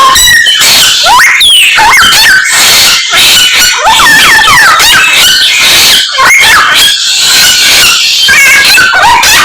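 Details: Samyong in full voice, copying calls of many other birds: rapid, crowded medley of swooping whistles, rising and falling slurs, squeaky chips and rattling notes almost without break.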